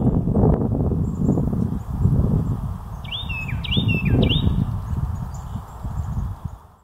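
A Carolina wren sings three quick, loud, ringing phrases in a row, each a swooping whistled slur, over heavy low rumbling and thumping noise.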